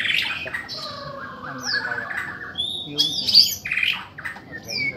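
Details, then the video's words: Young male white-rumped shama, captive, sparring in song with bred birds: sharp downward whistles, thin high notes and a brief warble, loose and irregular, with faint voices in the background. "Murai Batu Anak Lanang"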